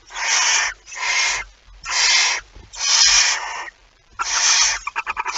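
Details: Barn owl at the nest with a mouse, shortly after midnight on 23 September 2019; long, rasping hiss-screeches follow one another, five in all, and end in a short burst of quick clicking notes.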